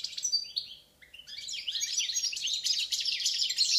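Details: Song of a Balkan European goldfinch, Carduelis Balcanika: a few high twittering notes, a brief pause, then a dense rapid outpouring of tinkling, buzzy chirps and trills.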